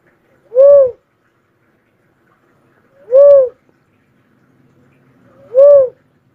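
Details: Cuckoo-dove repeating a rounded, low whistled coo three times, roughly every two and a half seconds, each note rising then falling gently, against near silence.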